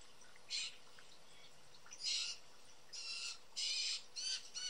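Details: Four young, hungry, energetic blue jays screaming and calling at backyard feeders in Southern Ontario, Canada, give harsh, raspy screeches in five or six bursts in under five seconds at an irregular pace, over a faint steady hiss.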